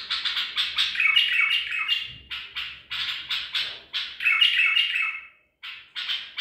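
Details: White-eared bulbul of the Baghdadi type, a caught bird from Medical City, recorded 14 April 2021, singing bright, rapid chattering phrases with bubbling, slurred notes, each burst about a second long and quickly repeated, with only brief gaps.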